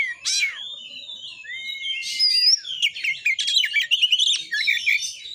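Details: Kacer (white-rumped shama) in full song meant to rouse shamas to sing and fight: long clear whistled slurs and rising notes, then a fast chattering run of varied high phrases.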